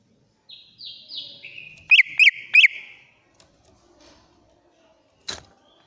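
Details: Agitated greater green leafbird from Banyuwangi, shrill song used to prompt a silent bird into singing: descending whistled slides, then three sharp looping notes, a quiet pause and a final sharp click.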